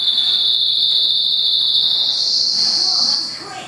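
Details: Song of a goldfinch × canary mule born in April 2011: one continuous high, even, rolling trill that holds a steady pitch, then lifts a little before fading away at the end.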